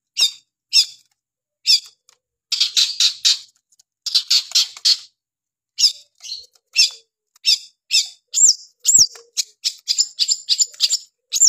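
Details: Long-tailed shrike in lively song: harsh, rasping notes spaced apart, then dense chattering bursts, then a fast run of high arched whistles and scratchy chirps.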